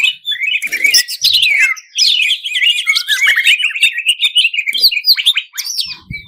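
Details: Greater green leafbird song with varied fill-ins, used to provoke emotion in competition birds: fast, tumbling warbles with descending slurs and clipped chirps, with brief pauses near two and five and a half seconds.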